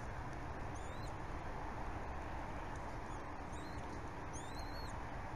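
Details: At a Berry College bald eagle nest on the morning of 14 February 2018, the father feeds a small chick; faint, thin, high squeaks in short clusters, masked by heavy broadband hiss.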